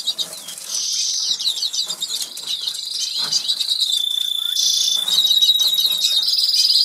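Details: Two Norwich canaries singing while eating in a cage in an English aviary; a long continuous high warbling trill with rolled tours and a steady thin whistle underneath, growing louder toward the end.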